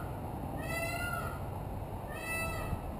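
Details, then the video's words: From a rooftop, a peacock gives two drawn-out, rising, nasal cries roughly one and a half seconds apart, against a broad hiss of background noise and a thin high-pitched tone. "Rooftop Peacock"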